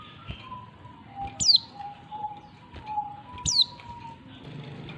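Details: Female Oriental white-eye calling to a male, giving two thin, very high calls that slide downward about two seconds apart, over a steady low hum and faint background noise.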